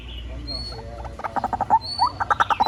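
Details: White-breasted waterhen call from a lure recording: after a second of low rumble, short clipped notes start and quicken into a rapid stuttering series, some notes rising and bending, with light background hiss.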